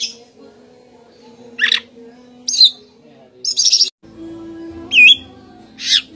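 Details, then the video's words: Copsychus saularis, the magpie robin or kacer, giving spaced whistles and harsh notes: a descending stroke, a clipped upslur, a brief buzzy trill, a looped whistle, and a final sharp note, with steady hum behind. "Copsychus saularis bird sounds | magpie robin"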